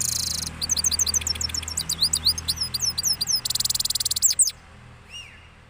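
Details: Cross goldfinch after moulting from Parachinar giving rolling song: rapid high twittering notes and buzzy trills, with fast repeated chirps around a dense mid-phrase burst, ending in a faint descending whistle.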